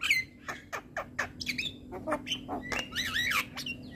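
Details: Javan myna singing in the morning: rough squawks and clicks alternate with warbled whistled phrases that twist up and down, ending in a dense tangle of squeaky notes.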